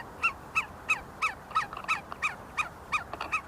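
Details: Close see-see partridges, a group feeding and fighting inside the University of Sulaimani, Kurdistan, utter crisp whistled notes about three a second, with softer overlapping notes from another bird between them.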